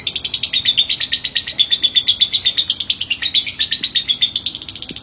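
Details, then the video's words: Lovebird singing actively, recorded as a master track for training other birds: a fast, continuous stream of high, sharp chirps, about three per second, running steadily without pause over a faint low background hum. "BURUNG LOVEBRID GACOR DORR. COCOK BUAT MASTERAN"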